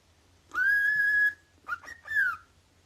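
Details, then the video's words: Cockatiel indoors giving a loud, pure whistled note held level for under a second, followed after a pause by two short broken whistles and a final descending whistle; faint low hum in the background. "天使の咆哮 九連！！"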